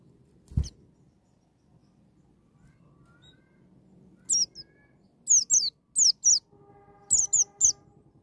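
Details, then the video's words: Wild-style white-eye song used to trigger a young bird to sing: after a quiet start, clusters of high, slurred, falling notes, with a faint steady hum in the background. "BURUNG PLECI NGALAS NEMBAK,MEMICU PLECI BAHAN CEPAT NGALAS BUKA PARUH"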